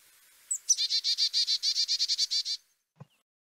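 Carolina Chickadee alarm: a thin, high opening note, then about fourteen rapid, buzzy 'dee' notes over two seconds, followed by a faint low thump.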